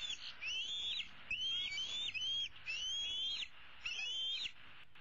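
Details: Bald eagle eaglet, a young female roosting in a tree and calling for her parents to bring food, April 15, 2016: a run of high, upslurred whistles, some paired, repeated roughly once a second, over a steady hiss.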